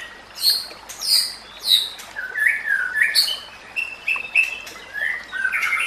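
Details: Murai batu (white-rumped shama) song as training master: high clipped notes and short whistled phrases, somewhat softer, over steady background noise.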